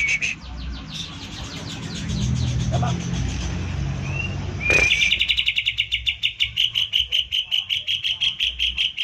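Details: Caged green leafbird in 'tembakan' style, used to provoke other leafbirds into singing: faint chatter over low rumbling traffic noise, then a loud rapid series of sharp, high repeated notes, about three per second.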